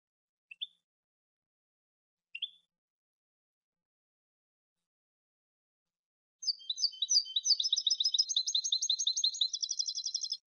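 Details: Two thin rising call notes from a European goldfinch, then a lively sustained twittering run of tinkling liquid notes that quickens into a dense rattling trill, recorded for a new cante CD.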